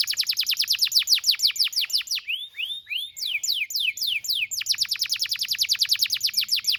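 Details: A gacor canary on a training recording for juveniles delivers long trains of rapid descending notes, broken midway by a few soft arched whistles before the fast train resumes.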